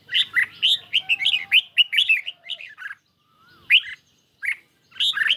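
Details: On a lightly sunny day, a red-whiskered bulbul in a cage sings against a phone. It opens with a rapid run of bubbly, warbling notes, then a pause, then single bright chirps.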